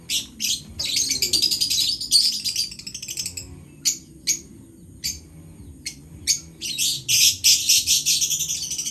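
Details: Lovebirds giving shrill, high-pitched chirps and scratchy squawks in dense rapid bursts, thinning to short isolated calls mid-way before a busy chattering flurry returns; a faint low hum or music runs underneath.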